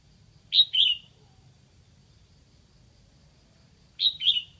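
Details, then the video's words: Red-whiskered bulbul, a decoy bird from Lạng Sơn, Vietnam, singing to lure wild bulbuls: two short phrases about three seconds apart, each a pair of bright, slurred whistled notes, over a quiet low hum. "Mào mồi gáy kiểu này liệu có gọi được bổi không đây?"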